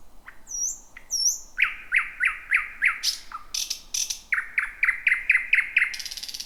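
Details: Thrush nightingale singing just before midnight in a bushy thicket, the first of 2026: thin upslurred whistles, then a fast chain of hard repeated notes, a few dry clicks and another rapid chain.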